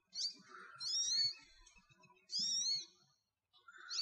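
American goldfinch giving high, sweet twittering phrases of quick warbled notes in three or four bursts, with softer lower chatter between them.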